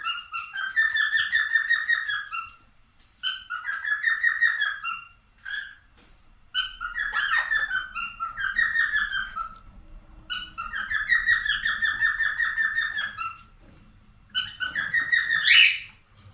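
A cockatiel sings a warbling whistled song in phrases of two to three seconds with brief pauses.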